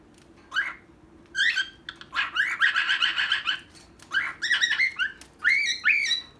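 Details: Pet bird pair, a female and a male, heard up close: scattered upswept chirps, then a burst of overlapping harsh, buzzy squawks and whistles, ending with separate rising notes.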